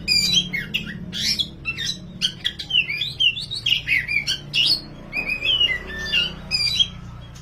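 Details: Black kacer wulung, an oriental magpie-robin, singing energetically for song training: quick varied whistled notes, slurs and chattering bursts in steady succession, with a faint low hum beneath.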